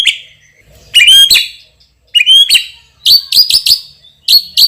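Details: White-rumped shama, a champion with a loud, strong voice and rich fill phrases, delivers short clustered bursts of bright, ringing high whistles with sharp upward sweeps, several phrases spaced by brief silences.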